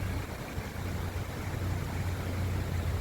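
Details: A vehicle engine idles with a steady low rumble under broad noise, and no animal is heard.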